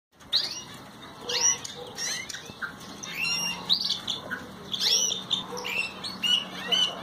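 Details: Ocellated thrasher singing: a run of varied, scratchy phrases and short rising and falling whistles, mostly high-pitched and coming in quick bursts with short gaps, over a steady low hum and faint background noise.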